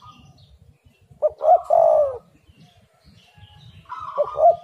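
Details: Spotted dove singing, used as a lure to prompt other doves to call: two deep cooing phrases, each a short note then a longer, slightly falling coo, about two seconds apart, with a faint low rumble underneath.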